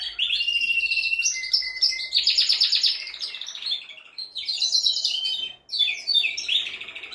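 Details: Male canary song meant to excite a female for mating: long run of rapid rolled trills and buzzy phrases, a steady lower whistle, a brief pause, then quick repeated falling chirps.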